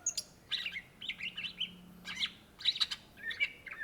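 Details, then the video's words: Singing greater green leafbird, called cucak ijo or cucak hijau in Indonesia: rapid high chirps and warbled whistles in quick bursts, about a hundred notes a minute, with a soft low drone beneath. "SUARA BURUNG CUCAK IJO GACOR , TELER"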